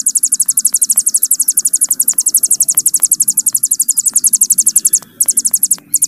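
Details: Hill prinia delivering an extended 'bren' trill for training cage birds: a continuous stream of very high, rapid, pulsing notes running about five seconds, a short break, then the trill resumes.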